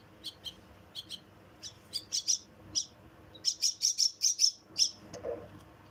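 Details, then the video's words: Myna chicks begging while being fed: thin, high chirps, first scattered and then quickening into a rapid run of bright, piercing squeaks. A soft low rustle follows near the end. "Feeding Myna Babies"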